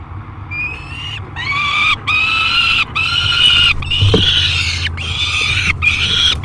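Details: Peregrine falcon at the Great Spirit Bluff nest box, July 3, 2021, screaming aggressively and noisily during feeding; harsh, harmonic screams, some long and drawn out, broken by short gaps, over a steady low hum.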